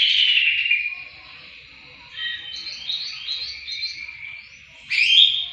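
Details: Greater green leafbird song for training other songbirds: a loud sweeping warble, a quieter stretch of rapid varied chattering phrases, then a sudden bright burst.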